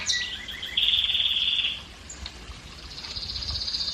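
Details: Song of a canary used to rouse hens for breeding: a brief sweeping note, then a bright, even high trill for about a second, fading into quieter thin trilling.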